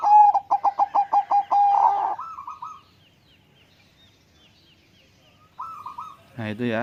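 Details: Caged zebra dove recorded at close range with a phone as it settles and begins singing: a quick rhythmic run of about eight mellow cooing pulses, then a drawn-out wavering coo, a pause, another coo, and a clattering knock at the end.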